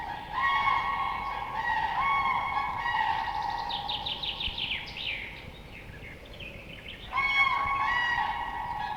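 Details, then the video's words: Cranes give loud, rolling trumpet calls: several birds overlap in ringing bugles, with rapid rattling notes in the middle and another burst of trumpeting near the end. "Crane sound effect | Crane sounds |What sounds does a crane make?"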